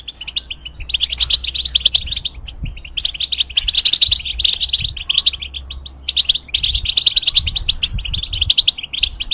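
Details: ['European goldfinch kept in a cage, its song played to teach young hybrids: bright rapid twittering in long runs, a short gap near the middle, and a faint low hum throughout.']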